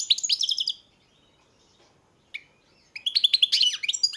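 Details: European goldfinch song in two bursts: a quick twittering phrase, a pause with a single chirp, then a longer run of bright, jangling, buzzy twitters.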